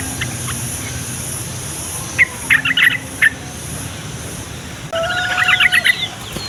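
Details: Two short bursts of bubbly yellow-vented bulbul chatter, the second denser, against a quiet hum. The recording is offered to coax lazy or young bulbuls into singing and to attract wild ones.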